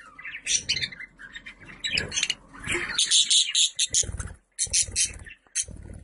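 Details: Pet budgerigars chattering, played to call other pet budgies: a dense stream of high chirps, warbles and scratchy notes, busiest in the second half with short bursts and gaps.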